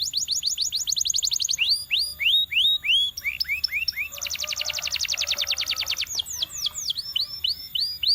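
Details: Trained canary in full song, running through tours: rapid falling whistles, slower hooked downslurs, a dense buzzy high roll, then spaced curling notes. Bright, varied and continuous.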